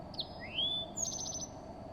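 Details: A male eastern towhee sings in a mimosa tree on a spring morning along the road to the Summit Knobs equestrian trail: a sharp high note, a rising slurred whistle, then a quick bright trill of about six notes, over a thin insect-like whine.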